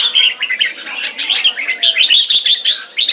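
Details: Red-whiskered bulbul, a caged competition bird in Singapore, in display: rapid run of sharp, bright chirps and short warbled phrases, pulsing steadily with brief dips between bursts.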